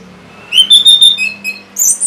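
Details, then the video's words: Orange-headed thrush song used to coax birds that have stopped singing: a brief string of four clear, slightly rising whistles followed by a sharp, very high squeaky note. "C0COK Untuk Pancingan Burung ANIS MERAH Bahan Macet Ataupun Malas Bunyi"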